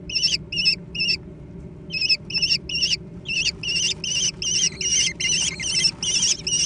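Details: Several American kestrel chicks fight over a meal. Three raspy, quavering squeals come first, then a pause, then an unbroken run of repeated screeches growing denser and overlapping toward the end.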